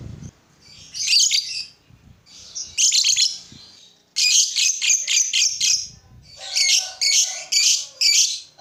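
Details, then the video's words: Lovebird calling, played so other lovebirds join in singing: irregular clusters of sharp, high, clicky chirps and squeaks in groups of three to six, separated by short pauses, faint low background rumble. "Suara burung lovebird ini ampuh bikin lovebird lain ikut gacor"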